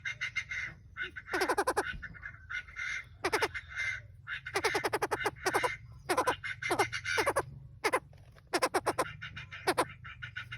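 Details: Male and female Chinese francolins calling as a lure for trapping, with bursts of rapid clicking rattles alternating with harsh grating phrases, repeated roughly every second over a steady low hum.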